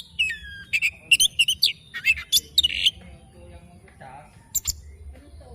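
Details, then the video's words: Morning song of an oriental magpie-robin: a burst of quick, sweet whistled and chipping notes for about three seconds, then quieter, softer sounds and a final pair of sharp notes. "Kicauan Kacer Dipagi Hari"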